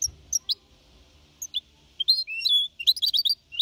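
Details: Goldfinch hybrid, a young bird of four and a half months, singing clean Malaga-copy song for motivating other birds: isolated high chips, then a drawn whistled note and a quick burst of twittering.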